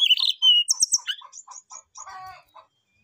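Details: Brown-chested jungle flycatcher calling a rival with a flute-like song: a loud drawn whistle, then quick high notes and short chips repeated about twice per second, ending in a harsher buzzy phrase before fading.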